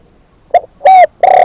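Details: Fragment of a decoy spotted dove's coo: a soft short note, a clear arched hoot, then the start of a long husky coo.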